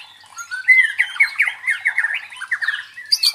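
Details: Short burst of white-rumped shama song, used to train fighting mentality in contest birds: a quick string of slurred, down-and-up whistled notes at steady speed, then a harsh high note at the end.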